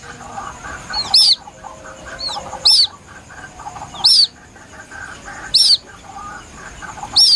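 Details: Plaintive calls of a young white-breasted waterhen, played as a lure for hunting: sharp, high, down-curving peeps repeated roughly every one and a half seconds, evenly spaced, with faint lower background noise between them.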